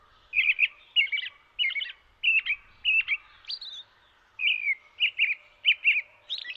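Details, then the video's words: Steady, high warbling song from a robin in the snow. Short chirpy double notes come roughly every half second, with one brief pause midway before the series resumes. No other sounds stand out. "Robin in the snow and it's song"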